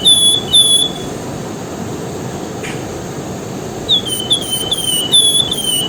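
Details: Javan whistling-thrush in full song, set against flowing river water. Sharp, high whistled notes come in quick runs of short downward slurs, first at the start and then again after a pause of about three seconds. Steady rushing water hiss continues throughout.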